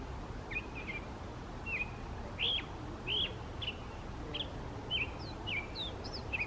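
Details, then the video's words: Mockingbird singing in a park nearby; a series of short sharp chirps and upward-flicked notes repeated roughly every half second, against a low steady hum of background noise. "Mockingbird Sings a Song"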